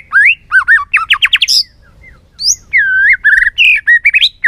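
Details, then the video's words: Loud, varied white-rumped shama song, the bird stimulated to sing many voices with tail-flicking; bright upslurred whistles and rapid note runs, a short lull, then looping downslurred phrases. "Kích Chòe lửa hót nhiều giọng"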